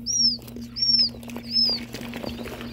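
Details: Ringneck pheasant chicks just out of the incubator, from Nebraska eggs, in a hatch shared with other pheasants and quail; three loud, sweeping high peeps about every seven tenths of a second, then soft rustling above a constant low hum.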